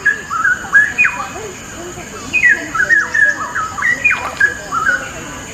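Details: Straw-headed bulbul (cucak rowo) singing a lively masteran song meant for training other birds: rich, bubbling warbled phrases swinging up and down, delivered in short bursts separated by brief pauses, with a steady background hiss.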